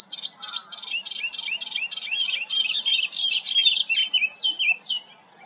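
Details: Melodious warbler singing in June at Hegenheim, France: a fast, continuous babbling phrase of chirps and slurred whistles, a string of repeated notes leading into a jumbled, scratchy run before fading out.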